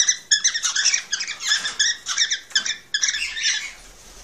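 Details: Cockatiel chatter played to encourage mating: dense, rapid bursts of harsh, buzzy warbled notes running almost continuously, with brief pauses, in an indoor setting.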